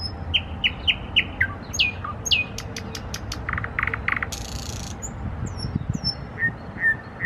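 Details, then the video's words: Nightingale trills: a varied phrase of quick repeated chirps, sharp clicks, a dry buzzy rattle and slurred whistles, over a low, steady rumble of background noise. "Nightingale trills / Соловьиные трели"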